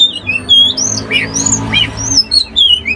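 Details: Loud, close Oriental magpie-robin song of sweet, slurred whistles, some rising and some falling, mixed with thin high squeaks, delivered in quick succession with brief gaps.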